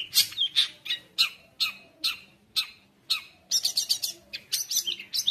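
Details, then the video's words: Long-tailed shrike song for provoking other shrikes and tutoring juveniles: harsh, slurred high notes spaced about half a second apart, followed by a fast cluster of sharp chattering chips. "CENDET GACOR KONSLET | cocok untuk masteran trotol cendet | shrike bird"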